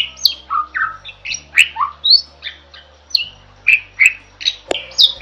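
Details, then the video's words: Starling singing a lively run of varied whistles, squeaky chirps and slurred notes, about two or three a second, over a faint low hum; a bold, energetic song used as a master recording for training other songbirds. "Suara Burung JALAK GACOR"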